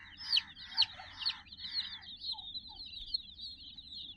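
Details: Domestic chicks, part of a group of sixty, playing around a cuddly toy puppy; a few loud, high, down-slurred peeps in the first second and a half, then a faint, steady high peeping chorus with some lower chatter.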